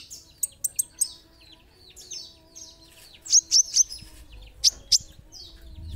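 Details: Olive-backed sunbird, called kolibri ninja, singing: a quick triple of sharp high chips, then falling, buzzy slurs and further pairs of piercing, very high notes, with a faint low hum behind.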